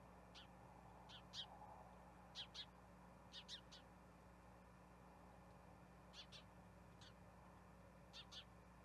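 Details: Johannesburg nest of Spotted eagle-owls with two owlets, 21 October 2021, during a rat delivery by the male to the female: brief high rasping chips, often in doubled pairs, spaced irregularly about once a second over constant background hum.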